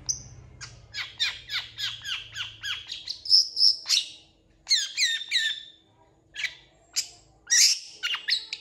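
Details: A long-tailed shrike delivers a mimicry-filled song, opening with a fast run of falling chirps, then piercing high whistles and scattered squeaky, warbled phrases separated by short pauses.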